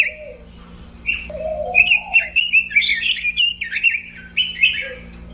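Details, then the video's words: Robin singing rich varied warbles with some lower whistled notes, phrases rising and falling in a busy stream. "kicau burung robin"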